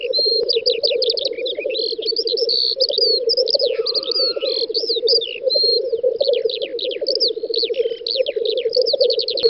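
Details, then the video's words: Black grouse displaying at a lek on a spring field, Volga federal district, western Russia, May 2019. Continuous throbbing low burble from several birds, overlaid by a busy mix of sharp chirps, whistles and a brief lower sweeping call from other birds. "Тетерев-косач токует"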